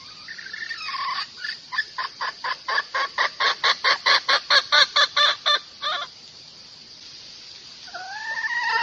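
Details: Domestic hen calling to a rooster, a recording used as a lure to attract cocks: a run of about twenty sharp, evenly spaced clucks that swell then fade, ending in a smooth, slightly wavering whistled note after a pause.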